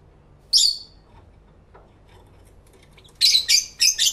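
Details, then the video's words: Lovebirds singing and chattering together, captured with a camera and two external microphones in stereo; a single piercing chirp, a lull, then four rapid shrill squeaks in quick succession. "Lovebird Sounds"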